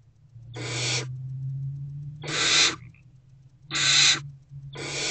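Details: Four loud raspy hisses, spaced one to two seconds apart over a low steady hum, from hungry barn owl owlets in a nest box, 3 March 2024 at 6:00 pm, awaiting their mother.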